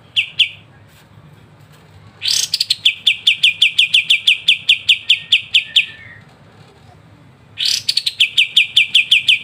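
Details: Rapid ngebren song of the Kapas tembak as training material for songbirds: a short note run, a pause, then a bright burst followed by a steady string of about fifteen clipped chirps, starting again at the end.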